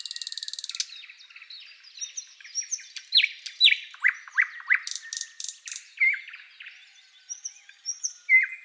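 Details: Thrush Nightingale song opening with a rapid rattle, followed by sharp whistled and slurred notes, a burst of dry high clicks, and scattered high thin whistles.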